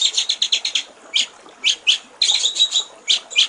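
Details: White-rumped shama master recording for training songbirds, described as clear song with trickling-water phrases: rapid sharp high chips in a fast run, then separate bright whistled bursts and a rippling, trilled passage.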